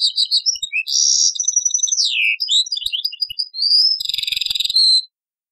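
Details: European goldfinch singing in the taqsrain song style, copied from an old cassette: a fast high twittering run of liquid notes, buzzy trills and a sliding descending whistle, ending in a rapid rattling trill, with faint clicks beneath.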